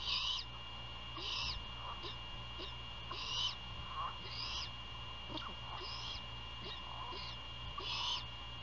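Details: Great horned owls at a nest near Savannah, Georgia, at night around 1:38 AM on 27 February 2022, during a prey handover and feeding: raspy, hissing bursts repeat every one to two seconds over a steady electrical hum.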